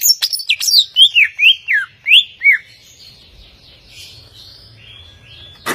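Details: Greater green leafbird, an overall competition champion songbird, delivering a quick run of clear whistled slurred notes, some rising and some falling, about eight phrases within three seconds, then quiet with faint high notes trailing off.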